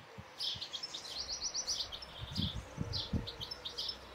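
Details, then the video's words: Singing European goldfinch delivering a rapid, liquid twittering phrase of high notes, then scattered shorter twitters, with low thuds and background rustle. "European goldfinch (Carduelis carduelis) singing"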